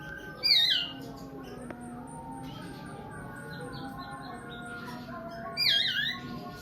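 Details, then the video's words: Oriental magpie-robin producing a child-like sobbing cry: two brief, harsh, falling wails about five seconds apart, with a soft steady tone and faint scattered notes between them. "burung Kacer nangis tersedu"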